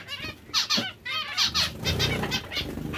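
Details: Several zebra finches from breeding pairs trade bright, buzzy beeping calls in clusters, loudest around the middle, with a faint low hum behind.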